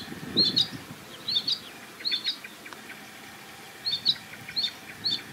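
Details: Sedge Warbler calling near a reedbed at a marsh edge: short, sharp, clicking chirps given in little clusters with quiet spells between them, plus faint low rustling.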